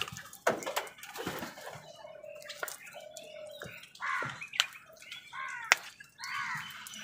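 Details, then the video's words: Crows squabbling with wild birds over food: short harsh nasal caws in scattered bursts, a few drawn-out, mixed with sharp thumps, clatter and brief chirps from other birds. "কাকের ডাক"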